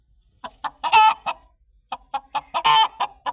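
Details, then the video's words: Chicken clucking: short, rough clucks in quick bursts, with two longer, louder squawking notes standing out among them, and no other sounds. "The Sound Of The Chicken Is Very Cute"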